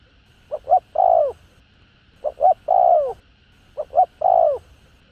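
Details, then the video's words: Spotted dove, calling, urging and cooing voice for stimulating decoy birds: three rapid phrases, two short hollow notes then a long descending coo, repeating every one and a half seconds. "Cu Gáy Giọng Hạp BổI ĐỦ BÀI [ GÁY GỌI,THÚC,GÙ ]"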